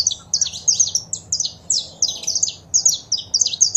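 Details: Saffron finch song with female calls, played to stimulate caged birds: quick clusters of bright descending chirps, repeated in short bursts with brief gaps.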